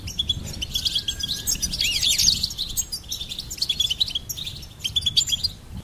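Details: Goldfinch singing a fast, dense twittering song of high chirps and short trills, with a thin steady whistle near the start and a low background hiss.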